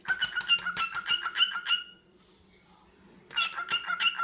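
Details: Cockatiel chattering in quick repeated notes, about three per second, in two bursts separated by a pause of over a second of near silence.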